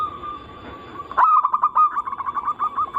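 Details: Zebra dove song used to lure other perkutut into singing, from a mix of anggungan, local, Bangkok and crossing styles. A low steady coo is followed by an abrupt loud note and a fast, evenly pulsing trill.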